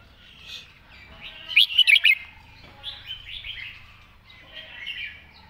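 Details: Master-pattern song of a red-whiskered bulbul with crisp, distinct phrasing: four rapid, rolling whistled notes ring out, followed by softer warbling chirps and a faint low hum behind.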